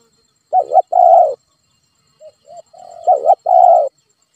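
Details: Spotted dove lure coo played to a pet dove that is slow to call: a wavering double note and a long coo, soft short notes, then the same pattern again.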